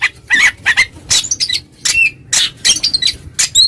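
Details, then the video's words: Oriental magpie-robin calling a rival that becomes agitated: harsh, noisy chattering bursts repeated irregularly, with a few short whistled notes woven in, over faint background hum. "suara burung Kacer NGEPLONG memanggil lawan, lawan EMOSI seketika"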